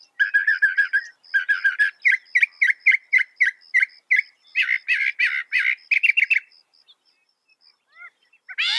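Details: Northern mockingbird (Mimus polyglottos) delivering a long run of rapid, buzzy chattering notes repeated about three or four per second, then a few soft whistled slurs and a final loud harsh note.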